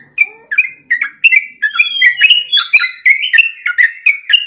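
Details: Sooty-headed bulbul in full song, recorded for training and provoking other caged birds: a continuous stream of quick, liquid whistled notes, each rising or dipping, with almost no gaps.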